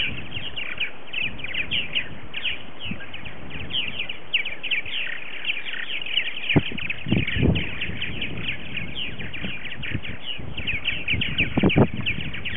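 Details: Early-season morning social of purple martins at a colony with 60 to 70 adult birds, late February: continuous chorus of chirps and gurgles from many birds, strong wind rumble and handling bumps throughout.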